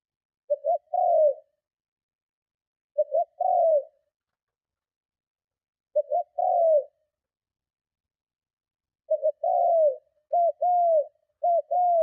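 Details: Spotted dove giving strong cooing calls used to lure and provoke other doves: low hollow coos around 600, short double notes followed by a longer falling coo, phrases repeated about every three seconds, later quickening into closer paired coos; otherwise silent background.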